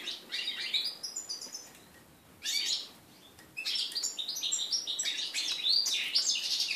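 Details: Mule hybrid of red-breasted flycatcher and canary, born 2013, singing on 11 January 2014 for the first time after its moult: high chattering phrases and quick trills, broken by a short silence, then a longer twittering run.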